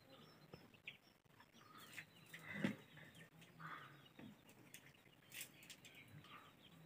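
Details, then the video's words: Chicken scuffling with its mother hen; irregular clucks and one louder squawk rise over a steady background, mixed with wing flapping and scraping noises of the fight. "chicken fight with hen mother"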